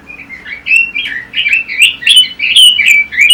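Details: Red-billed leiothrix, or Pekin robin, an imported songbird kept for competition training, singing a continuous run of rich warbled phrases, quick whistled notes rising and falling in rapid succession with brief gaps, clear and loud over a quiet background.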